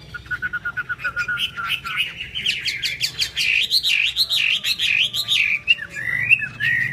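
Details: Chinese hwamei singing 'hót xòe' with wings spread like an eagle; a thin call leads into a fast, bubbling run of undulating whistled notes that stays loud and steady.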